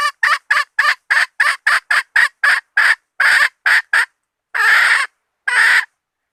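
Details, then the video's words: Hen bait call: a brisk string of about fourteen short, raspy clucks at a rapid, even pace, then silence, then two longer, drawn-out squawks separated by a gap. "latest hen standard bait"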